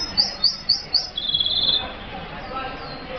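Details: F1 hooded siskin, tropical birds from Colombia, gives a short run of four high, sharp chirps followed by a brief buzzy high trill, over faint background hiss.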